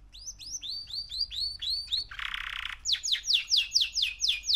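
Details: Young male canary, three months old, singing a series of rising-falling whistled notes repeated about twice a second, broken by a short harsh buzzy trill, then a louder run of sharp descending notes at a similar rate.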